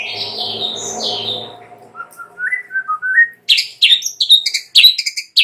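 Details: Morning lure song of a white-rumped shama, opening with two slurred whistles over a low hum, then a climbing series of short whistled notes, and closing with rapid harsh chattering bursts.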